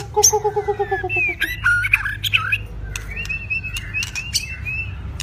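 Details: White-rumped shama of two seasons, in stamina training: a fast series of evenly repeated low notes, then a tumble of loud varied whistles and softer sustained whistled phrases.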